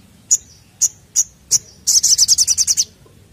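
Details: Crested jay lure recording: four sharp, high chirps spaced about half a second apart, then a rapid run of ten loud, clipped notes, with a quiet background.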